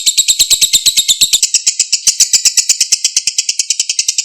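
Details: Lovebird singing ngekek panjang, the long continuous chatter, in a clean recording meant to lure other birds into answering. Fast, buzzy, regular pulses run throughout.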